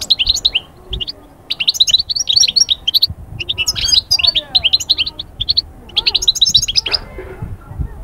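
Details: Goldfinch song for stirring moulting birds into summer breeding fervour: continuous lively twittering phrases of bright chirps and buzzes, brief gaps, with soft low background noise.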